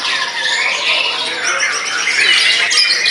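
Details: White-rumped shama singing hard after finishing its molt, meant to overwhelm opponents: a thick, continuous rush of rapid, overlapping high whistles and buzzy trills with no pauses.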